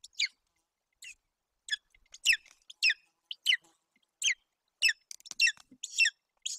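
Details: Golden eagle eaglet at a nest in Bucovina, Romania, on June 8, 2021, with an empty crop while its mother feeds it roe deer fawn: high thin descending squeals repeated about once a second, quiet background.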